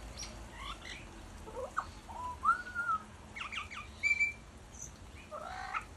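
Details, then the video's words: A butcherbird sings a string of clear, fluted whistles, some slurred and some sliding up or down, spaced irregularly over a soft hiss of background noise. "Butcher bird songs"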